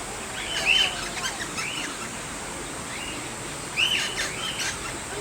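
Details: Wild eastern rosellas at Campbelltown's wild bird forest: two short, sharp whistled call bursts about three seconds apart, each followed by softer chattering notes, over a steady high hiss and faint calls of other birds.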